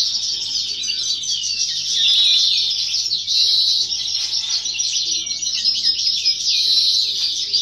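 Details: First-year (novella) European goldfinch singing during a singing competition in 2018 or 2019, an unbroken, rapid, jangling twitter of high liquid notes and trills with a faint low hum beneath.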